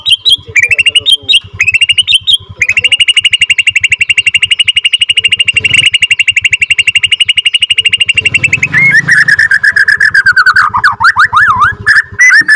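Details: Long rolling song, or ngerol panjang, of a Borneo F2 white-rumped shama used to stir other shamas: a few whistles, then a sustained rapid trill of identical notes for about six seconds, ending in swooping slurs.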